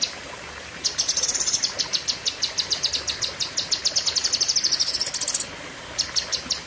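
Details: Cucak kinoi leafbird in a 'pedes panjang' style, meaning long, sharp bursts: after a quiet start, a fast run of high, sharp notes repeated several times a second, with a short pause near the end.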